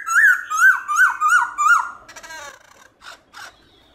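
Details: Black-throated laughingthrush singing in the morning in the "forest voice" style with voice-switching (đảo giọng): five loud, rich, slurred rise-and-fall notes about every 0.4 seconds, then a brief rattling chatter and two short harsh notes.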